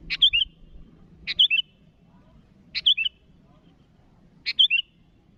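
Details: Calling to rivals, a sooty-headed bulbul gives four loud phrases, a sharp snap followed by two quick liquid whistled notes, with irregular gaps and a soft low background.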